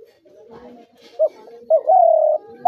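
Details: Spotted dove, hunter's dove call: a short note and then a single long, even, low coo, set against a continuous soft humming background with faint rustling.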